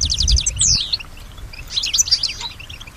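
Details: A European goldfinch known for copying sounds around it opens with a quick high trill and a downslurred whistle over low rumbling. It then gives softer, jumbled twittering.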